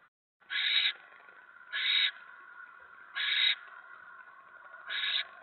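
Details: On 10 November 2017, 7:50 PM, a mouse is brought to a barn owl nest; four rough hissing shrieks come every second or so, the last a little softer.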